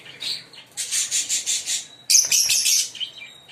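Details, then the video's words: A green pair of Fischer's lovebirds chirping and singing: dense, buzzy high chatter in short repeated bursts, with a louder harsh burst of chirps midway. "Lovebird singing & Chirping Sound 5 Minute - Green Fischer pair"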